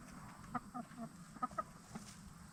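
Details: Free-range Black Star and Bielefelder hens in a movable chicken tractor, settling in for the night; several soft, short clucks spaced through the moment, with low background hum and pecking sounds.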